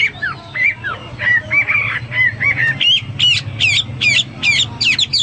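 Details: Hwamei in vigorous 'gacor' song, mixing slurred mid-pitched whistles with a run of sharp, high, repeated two-part notes.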